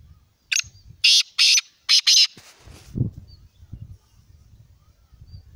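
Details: Black francolin (kala teetar) giving a loud, harsh, grating call of five rasping notes over about two seconds, the last two run together, followed by soft low rustling and thumps.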